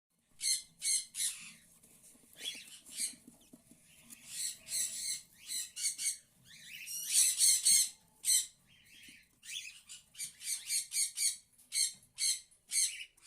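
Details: Cockatiel chicks, part of a brood of 12 in a breeding setup on 3 January 2024, give harsh, raspy squawks in quick, uneven bursts.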